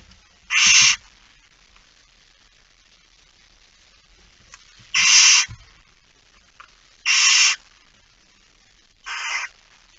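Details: Barn owls in a nest box at night, 13 September 2019, around 22:30; four harsh, noisy hissing screeches, each about half a second long, spaced irregularly with quiet gaps between.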